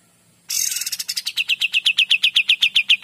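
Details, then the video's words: Kapas tembak in full gacor song, clearly recorded as a master for training magpie-robins: a harsh burst opens into a long, machine-gun-like run of sharp, high notes, about four per second, steady and loud throughout. "KAPAS TEMBAK GACOR DOR"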